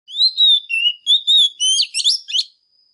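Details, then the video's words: Female Oriental magpie-robin singing intensely to stir up males: a run of clear whistled notes, some long and level, others short and rising, ending in quicker twisting phrases, with no other sounds. "Chòe than mái kích trống HÓT CĂNG"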